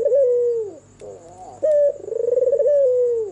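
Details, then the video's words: Red-eyed white albino turtle dove cooing at night: the tail of one long rolling coo, then a soft low phrase, then a full clipped note and a long wavering coo sliding down, steady high whine behind. "SUARA MERDU BURUNG PUTER PUTIH MATA MERAH MANGGUNG DIMALAM HARI"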